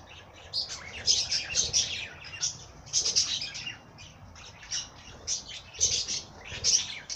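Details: Bird song as a lively chorus of squeaky, high chirps and chattering phrases in repeated bursts, many birds calling over one another.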